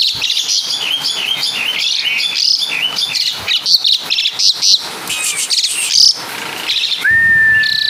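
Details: Javanese Asian pied starling delivering mimicked caladi and kapas tembak phrases: dense, varied chattering and sharp chirps, then scattered high notes and a final level, sustained whistle.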